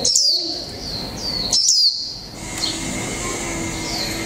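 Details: Japanese white-eye of the mộc tinh type, kept one month in a cage, giving 'líu pha chòe trống' song: two quick bursts of high, wavering twittered notes early on, then faint high whistles over steady background hiss.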